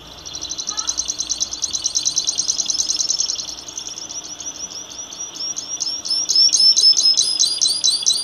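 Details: A saffron finch sings a long, high run of rapid chips and trills that breaks into sharp, repeated upslurred notes toward the end, about three per second. It sings continuously for about 20 minutes.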